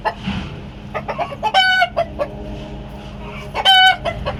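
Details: Bielefelder chickens on a farm cackle in a run of short clucks broken by two loud, drawn-out nasal squawks about two seconds apart, with faint background noise; an alarm call because a hen is laying or has laid an egg.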